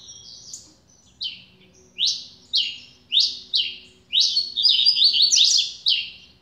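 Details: Double-collared seedeater, a newly acquired bird, singing a series of loud slurred notes about every half second, each sweeping down and then up, that speed into a dense, rapid twittering trill near the end. The background is quiet.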